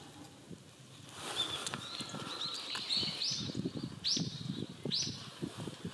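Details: Rustic bunting feeding in a thicket among fallen leaves in mixed woodland in the Sayama Hills, Japan, on 24 December 2020. It gives three sharp, high, upward-flicking tsip notes, under a second apart, over steady rustling of leaf litter.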